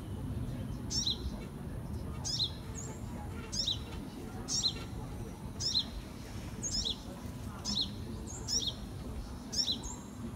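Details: Baby sunbird from 2018 calling repeatedly: about nine thin, high chirps, roughly one per second, each dropping quickly in pitch, with faint higher drawn-out whistles between them over a low constant hum.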